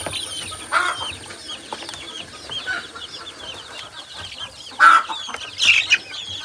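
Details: Chicken chicks playing outside, peeping in a busy overlapping chorus of short, high chirps, with a few louder cheeps standing out.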